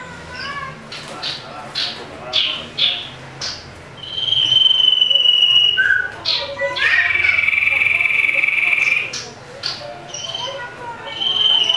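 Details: Fighting song of a common iora provoking rivals. A series of short, sharp chips and a brief low note lead into a long, bright, rattling trill, then more quick calls.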